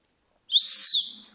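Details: Pet Senegal parrot giving one clear, high whistle that rises sharply, then slides gently downward and fades over under a second, in a quiet room; a person prompts it with "hands up".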